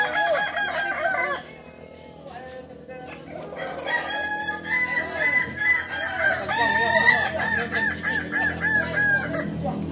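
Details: Kukuak balenggek chicken from Tigo Lurah, Solok, West Sumatra, a breed whose crow climbs through 3 to 19 levels. A short crow, then a lull, then sustained, wavering multi-step crowing builds, with overlapping voices.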